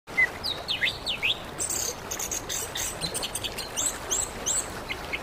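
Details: Orange-headed thrush song from Indonesia, used as therapy to make a silent bird start singing: a short whistle, then quick looping high whistled phrases and sharp chirps rising and falling, with a steady hiss of background noise.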